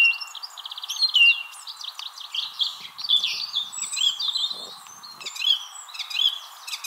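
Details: A song thrush in a tree in Wrestlingworth, Bedfordshire, UK, April 2021, sings hard against a nearby rival thrush; on-camera microphones. A varied run of rapid repeated notes, then fluty and scratchy phrases, with a constant low hum behind.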